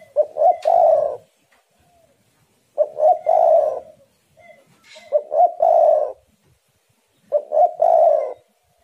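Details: Spotted dove song, local name tekukur or derkuku: four deep cooing phrases, each two short hoots followed by a longer rolling coo, repeated about every two and a half seconds.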